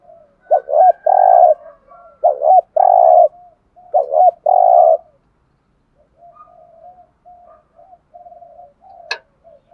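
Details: Thúc gù lure coos of a decoy spotted dove: three quick phrases, each a rolling double hoot then a drawn-out burred coo, fading into faint soft murmured coos and a sharp click near the end.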